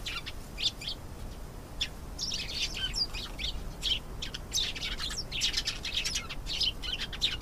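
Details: Canary song building from spaced high chirps into dense, rapid warbling trills and twittering phrases, almost unbroken in the second half, over faint low hum.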